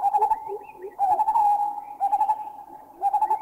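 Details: Lineated barbets in Thailand, one giving a bubbling call and another joining with a double note call: fast, throbbing hollow notes in bursts about a second long, with lower paired notes underneath; greater cuckoo whooping in the background.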